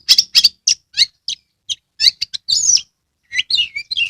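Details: Oriental magpie-robin kept in a cage in Kebumen, Central Java, in full song with its tail spread. Loud rasping chips come in rapid succession, then a scratchy chatter and a run of down-slurred whistles.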